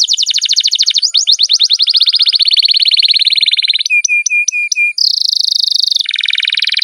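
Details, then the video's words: Pet canary in vigorous long-rolling song: fast descending trill running into a steady roll, a few sharp repeated whistled notes, then a high buzzy sustained roll dropping slightly lower at the end. "BURUNG KENARI GACOR NGEROL PANJANG JITU"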